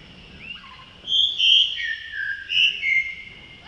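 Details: Male Blue-throated Blue Flycatcher recorded in Tashiding, Sikkim, India, during May: clear high whistles, rising and falling, in two loud bursts a second apart, plus faint lower slurred notes.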